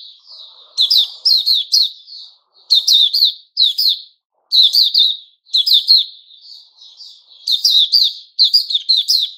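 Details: White-rumped shama of the Puteh Raja type, recorded 29 August 2021, giving bright chirpy notes in tight bursts of three to five, each burst about a second long, separated by short pauses and soft trailing notes.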